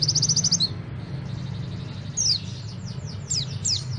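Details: White-eye from Malang: a quick high trill of repeated notes, then scattered sharp downslurred chirps, all over strong low rumbling noise.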